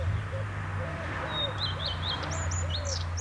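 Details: A male Common Redstart at Lipka, Wielkopolska sings a brief high phrase of thin, jumpy notes falling in short wavers, over a steady low rumble and soft lower cooing notes.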